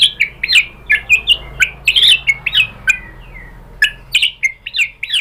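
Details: White-rumped shama, recorded as a lure to make another shama respond, delivering a steady stream of loud varied whistled phrases with descending slurs and sharp chips, one every fraction of a second.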